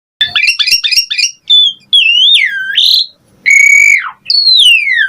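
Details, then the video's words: Asian pied starling in full 'gacor mompa' pumping song: a run of quick rising chirps, then long clear whistles that swoop up and down, ending in a loud flat whistle that drops sharply and a slow falling slur. "Pancingan Jalak Suren Gacor Mompa Variasi Mewah / Masteran Suara Burung Jalak Agar Gacor Full Isian"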